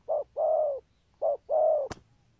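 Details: Spotted dove in 'có bài' style, well led, with spurring 'thúc gù' coos. Two pairs of deep soft notes, short then long, then a sharp click at the end.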